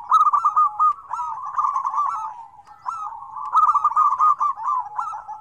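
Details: Combined calls of many zebra doves, played to prompt silent doves to call; loud bursts of fast, bubbling, repeated coos in waves, each phrase stuttering then sliding, with a brief lull around the middle.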